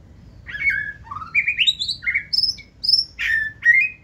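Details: Singing in forest-voice style, a caged 2024-season white-rumped shama runs the perch, tail up, pouring out clear whistled notes that step upward in pitch, then a burst of high sweet phrases and a buzzy ending.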